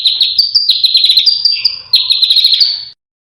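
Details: Contest-bird master sound full of sharp, dense phrasing: a fast run of high warbled notes that steps up and down in pitch, with a slight break midway, then ends abruptly.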